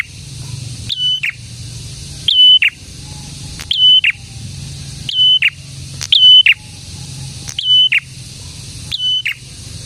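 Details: Lively prinia singing as a lure for other prinias and to stir quiet birds into calling; seven phrases, each a brief rising chip, a flat piercing whistle and a rough falling buzz, spaced about every one and a half seconds.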